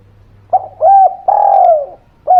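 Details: Spotted dove cooing as a lure to prompt quiet birds to sing: a short coo, a longer sliding coo, then a drawn-out falling note, with another coo starting at the end; a faint low hum underneath.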